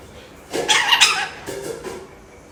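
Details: Pet lorikeet parrot imitating a human cough: two short, harsh, breathy bursts about a second apart, the first louder and rougher, the second softer, over quiet room background.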